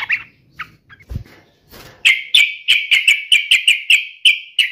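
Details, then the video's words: Yellow-vented bulbul in an aggressive, fighting mood: a few scattered notes and knocks, then a steady run of about twelve loud, sharp, identical notes. "trucukan gacor FULL TARUNG NGAMUK"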